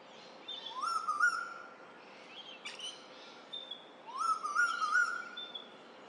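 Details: Rainbird, the Eastern Koel: a male calling across the Lane Cove River valley in Australia in spring to announce his arrival. Two loud upward-sweeping whistles about three seconds apart, a brief click between them. Soft high calls of other birds continue throughout.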